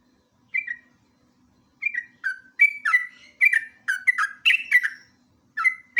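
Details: Lure and master recording of a sooty-headed bulbul in lively ngeropel style. Short liquid whistled notes, some rising and some falling, come in quickening bursts. The phrases grow denser toward the end over a faint steady low hum.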